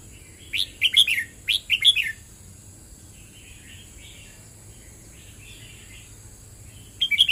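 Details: A red-whiskered bulbul sings two quick phrases back to back of bright, bouncing whistles, then soft quiet warbles, and starts another phrase at the end.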